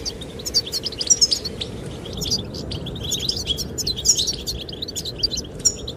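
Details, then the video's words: Goldfinch song, sung to attract the female: bright, rapid twittering with sharp high notes and short liquid trills in uneven bursts, set against a constant hiss of wind. "Sound of the wind and the chirping of goldfinches relaxes"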